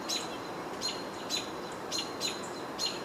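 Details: American robins on 22 June 2023, upset by an adult hawk perched nearby, give sharp, high chirped alarm calls about every half second over a steady hiss; a house sparrow is believed to be calling too.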